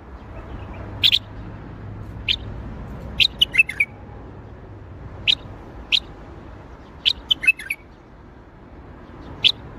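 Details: Bulbul singing in the Baghdadi style: short, bright chirped notes, often paired or in quick triplets, spaced irregularly across ten seconds over a low steady background hum.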